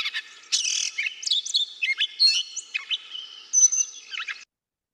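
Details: Gray Catbird, a mimid of brushy areas and woodland edges, singing a rambling, chattering run of varied squeaky and mewing notes that rise and fall without repeating phrases.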